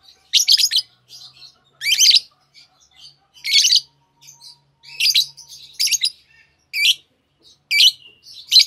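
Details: A pair of green Fischer's lovebirds repeats scratchy, high chirp bursts about every second, with soft twitters in between.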